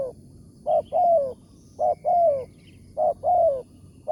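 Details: Wild spotted dove, a morning decoy-trapping target with a big 'tarik akar' voice. Three evenly spaced phrases, each a short note followed by a long, level-then-falling coo, about one phrase per second.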